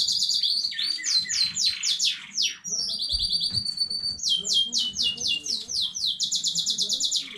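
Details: Home-bred canary singing, recorded 15 May 2019: quick descending whistled notes, a brief pause, a long high steady tone, then fast rolling trills repeated in tight series.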